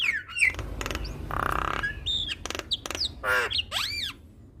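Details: Javan myna singing as a training recording meant to get other mynas singing along: harsh broadband squawks mixed with clear whistled notes, short slurred upward and downward whistles, and a rising-then-falling arched note near the end.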